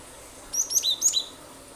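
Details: Cinereous tit (glatik batu), used as a lure to set other birds singing; a brief run of thin, very high chirps and short whistled slurs over a quiet, hissy background.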